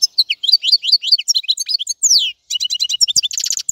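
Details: Rapid European goldfinch twittering of high sliding chirps and a long descending slur, followed after a short gap by quick stuttering notes.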